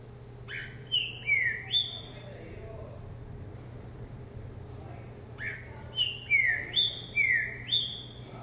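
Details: Green-winged saltator (Saltator similis), a kept bird on a hopping perch, recorded at 10 a.m. on 24 December 2020: loud, rich whistled phrases rising then sliding down, in two bursts of several notes each, over a steady low hum.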